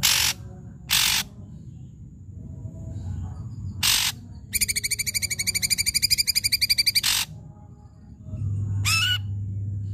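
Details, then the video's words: Ashy drongo, agitated, giving a rapid rattling run of harsh, metallic notes, about four per second, between loud broadband squawks and a low background hum. "srigunting abu abu gacor"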